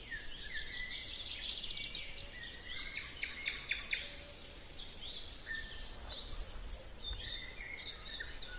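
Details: Birds singing in a spring forest; several overlapping high chirps, trills and short whistled phrases from more than one bird, over steady low rumbling background noise.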